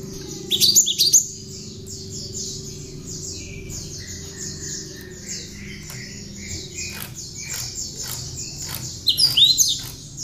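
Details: Tame hand-reared Javan sparrow, a master or lure bird singing with prinia (ciblek) phrases: two bursts of loud, sharp, rapid high chirps, one near the start and one near the end, separated by a thin stream of fast, even, high repeated notes.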